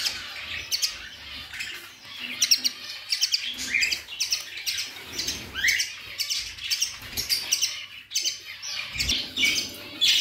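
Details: Budgerigars in a group alongside ringneck chicks, giving dense, continuous high chirping and chattering with rapid overlapping tweets and occasional short rising squawks throughout, no pauses between calls.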